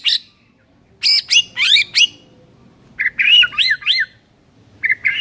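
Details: White-rumped shama master song for training silent birds: clear, sweet whistled phrases of rising and falling slurred notes in short bursts, separated by brief silences, with high sharp clicks at phrase starts.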